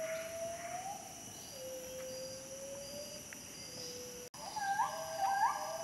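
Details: Gould's frogmouth, a nocturnal bird of lowland forest, giving long, steady whistled notes that slide gently downward, followed after a brief break by higher, rising whistles with faint overtones, over a soft hiss of night insects.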